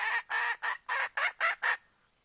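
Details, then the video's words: Hen seeking a rooster gives seven loud, raspy squawks in under two seconds, each note short and evenly spaced, the last ones slightly sharper before silence. "Poj qaib seev tsauj nrhiav lau แม่ไก่ร้องหาไก่ผู้"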